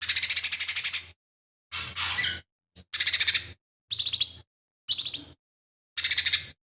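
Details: Lesser green leafbird singing its rich mimicry song as a master for other kept birds; a run of harsh, rattling bursts mixed with clearer, higher whistled trills, seven phrases with brief pauses.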